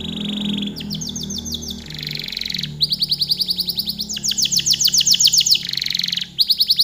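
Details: Canary delivering a long, continuous song: rapid rolling trills of repeated high notes, switching between sections of different pitch and speed, some buzzy, some clear and rippling, with brief pauses between phrases and a low background hum.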